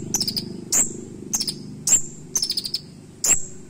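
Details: Van Hasselt's sunbird, known in West Java as kolibri tasik, singing a sharp, punchy fill-in song for tutoring: very high piercing chips alternating with short rapid trill bursts, roughly every half second, over a low steady background hum.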